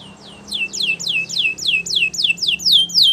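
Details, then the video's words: Belgian canary song for training, a steady series of about ten repeated downslurred notes roughly every quarter second over a low background hum. "Belgian Canaries Sing With Melodies That Are Pleasant To Listen To!! Canary Training"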